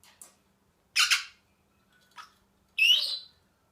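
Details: Happy Senegal parrot giving harsh, broad squawks: a loud double burst near one second, a short soft note, then a longer rasping squawk with a rising tonal edge near the end, quiet between calls.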